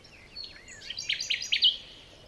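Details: Morning forest birdsong: thin whistled notes slide downward, then three loud, sharp chirps ring out in quick succession before fading.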